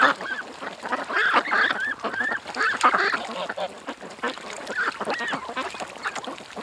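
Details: Ducks at a creek calling together in a busy chorus of overlapping nasal quacks, with bursts clustering around one and three seconds and steady broadband background noise.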